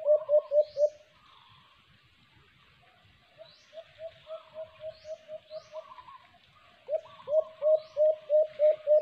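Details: Alimokon, the white-eared brown dove, recorded during a cage-trap hunting attempt, gives rapid series of low, hollow coos: a loud burst, a pause, a softer run, then another strong burst, over light background chirping.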